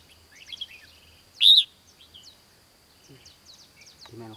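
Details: At a bulbul trapping site in Mông Hóa, Hòa Bình, Vietnam, 16 April 2016, a red-whiskered bulbul gives one loud, bright whistled note among scattered soft chirps, with men talking quietly at the close.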